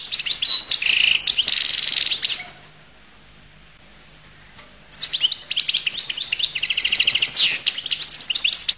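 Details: Collo goldfinch delivers loud, rich twittering song with buzzy drawn-out notes, breaks off for over two seconds, then resumes with a long run of rapid tinkling chirps and trills.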